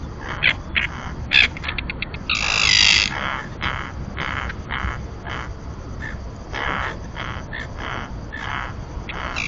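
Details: Webcam recording from a floating platform at the common tern colony in Santander Bay, Cantabria, Spain, pairs incubating eggs: scattered sharp harsh notes and one longer grating call midway, set against constant low rumbling noise.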